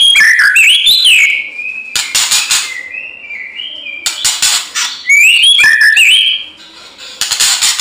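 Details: Energetic fighting song of a White-rumped shama, used to provoke others into singing: clear rising and falling whistles alternating with dense broadband rattling clicks, nearly continuous throughout.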